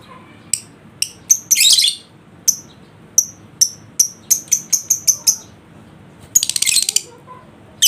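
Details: Lovebird ngekek song played to prompt a lazy bird: a rapid series of sharp, high, clicking chirps speeding up, framed by two long, dense, rasping chatter bursts.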